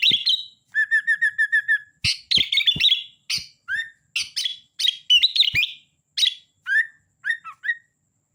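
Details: Sooty-headed bulbul singing energetically: a rapid run of even, repeated short notes, then mixed chattering phrases and upslurred whistles, with faint clicks in the background.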